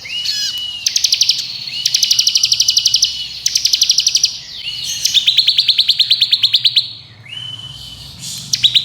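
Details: Bar-winged prinia of the crystal variety in rapid ngebren style, fast tight variations meant as a tutor recording for songbirds: bursts of high buzzy pulsed trills, each about a second long, linked by short rising whistled slurs, nearly continuous.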